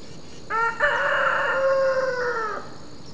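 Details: Rooster on a farm trading calls with a second rooster: one long crow, a short opening note, then a sustained harmonic-rich tone held for nearly two seconds before cutting off.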